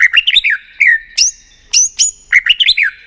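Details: White-rumped shama in contest-style singing, used to fire up a rival bird. Quick clusters of rich rising and falling whistles alternate with high sharp notes that drop in pitch, all clear and loud.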